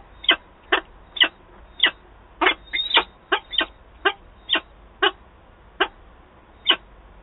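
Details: Peregrine falcons meeting at the nest in Wałbrzych, Poland, on 8 August 2022: a string of about thirteen harsh, rasping calls spaced roughly half a second apart, slightly irregular, over a quiet background hum.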